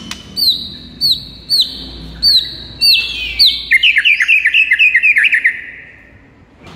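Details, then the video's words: Morning training song of a white-rumped shama: loud ringing whistles with falling tails repeated about every half second, then a fast trill of short notes tapering off. "PIKAT MURAI BATU ANDA DENGAN MASTERAN MURAI BATU GACOR PAGI HARI INI"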